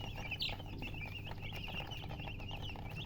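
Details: Just-born chicken chicks peeping loudly and continuously, many short high chirps overlapping as several chicks call at once, steady low hum behind.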